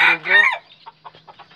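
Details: Red junglefowl rooster giving a short, loud, harsh crow in two quick bursts lasting about half a second, then fading into faint, soft, scattered sounds.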